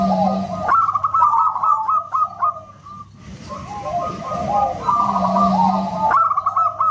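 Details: Local zebra doves singing loudly like a whistle: runs of quick hooked notes, partly masked mid-clip by hiss and a steady low hum, then clearer again at the end.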